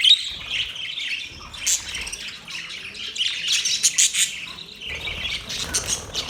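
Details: Happy budgerigars give high, sharp tweets and buzzy chatter that swells in rhythmic surges, loudest toward the middle of the stretch.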